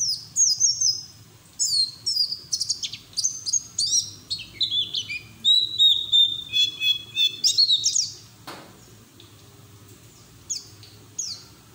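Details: White-eye in long, chattering song meant to coax other white-eyes into singing: dense, high, rapid trills and whistles for about eight seconds, then quieter scattered notes.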